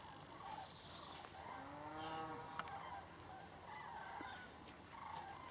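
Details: Over 5000 common cranes migrating southbound over Berry, Jouy, Cher, France, calling overhead: rolling, trumpeting bugles, one long call sliding down in pitch, with other distant calls scattered through a faint hiss.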